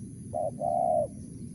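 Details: Single cooing phrase from a wild spotted dove of the crisp 'mersik' voice type: a brief low note, a short gap, then a longer level hollow coo, over faint background hiss.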